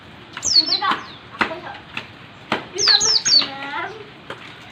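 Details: Oriental white-eye (pleci) in 'ngalas rapat' song style: a couple of brief clusters of high, falling whistled notes separated by clicks, knocks and lower background voices.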